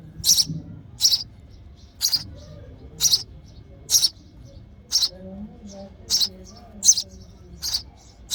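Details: Sparrow chick begging in the nest while its mother feeds it: short, high, hissy chirps repeated about once a second, each a brief broadband burst, with faint low background rumble.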